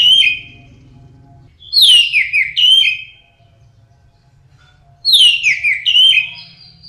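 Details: Orange-headed thrush singing, recorded as a lure to get birds singing loudly: two rich whistled phrases of descending slurred notes with trills, about three seconds apart, over a soft low background hum.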